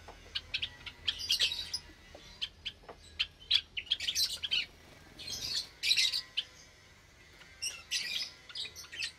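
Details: Caged Java sparrows in an aviary with recently hatched chicks, Sunday morning in May 2022: lively overlapping high chirps and buzzy, rasping bursts from the flock, coming in waves with short pauses.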